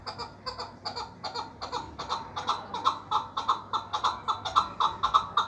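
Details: Repeated clipped chucking notes from a chukar partridge being sold, delivered in an even pulse a little under two per second and gaining strength as the series goes on, over faint background hum.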